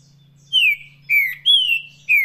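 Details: Four clear, falling whistles from a green-winged saltator in Paraná-style song, the third note held slightly longer and flatter, over a faint low hum.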